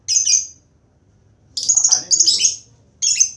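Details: Lovebird giving its ngekek chattering song: long bursts of rapid, very high shrill trilled chatter, four runs separated by short pauses, with faint low background hum.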